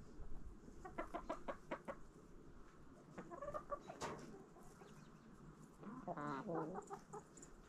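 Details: Backyard chickens eating a fall jack-o'-lantern pumpkin: bursts of rapid, pulsed clucks in short runs, a rising harmonic call, and further clucking bouts, with steady low outdoor noise.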